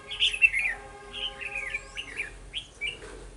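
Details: Red-whiskered bulbul decoy at a trap site in Vietnam, November 2018; a run of short, bright warbled notes and chirps, with a low steady electronic hum underneath.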